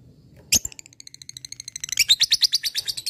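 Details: Lovebird, a fighter bird, calling to a rival: one sharp high note, then a run of quick ticking pulses that speeds up into a loud, buzzy chatter.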